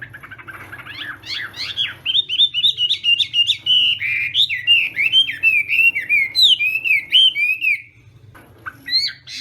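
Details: Chinese hwamei in full morning contest song: an unbroken run of rich, rolling whistles, each note slurring down then up, delivered at a rapid, lively pace before fading into a brief quieter close, with faint background hum.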